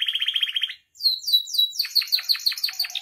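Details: Canary song for training and provoking caged canaries: a fast, even pulsed trill, a brief gap, then rapid high sweeping notes and quick descending chips in a dense run.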